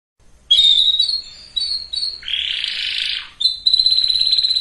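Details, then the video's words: Canary singing to prime males and females for breeding: short whistled notes, a broad harsh rasping phrase, then a steady high rapid trill. "اقوى وافضل تغريد كناري لتجهيز الاناث وتجهيز الذكور canary singing"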